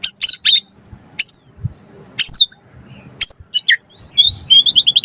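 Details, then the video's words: White-rumped shama singing to provoke other birds and for tutoring songbirds, with varied full phrases: sharp high notes, looping whistles and a closing run of quick repeated rising chirps. "Pancingan Murai Batu Langsung Nyaut Auto Bunyi Cpt Gacor Full Isian Buat Masteran Suara Burung Murai"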